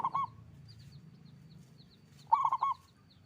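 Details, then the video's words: Local zebra dove, a persistent loud singer, delivering trilled coo phrases of several rapid rounded notes, one cut short at the start then a full phrase, with faint high chirps of other birds behind. "Perkutut lokal gacor suara besar"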